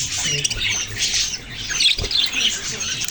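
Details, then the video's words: Budgerigars chirping: a dense, continuous wash of high, scratchy chatter and squawks, with brief bright whistled notes near the end and a single low thump around the two-second mark. "Sweet birds chirping sounds"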